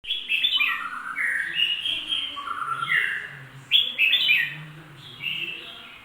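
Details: Bulbul giving a busy, continuous run of clear whistled notes, many sliding down in pitch, in quick bubbly phrases with a short pause near the middle; a faint low hum sits underneath.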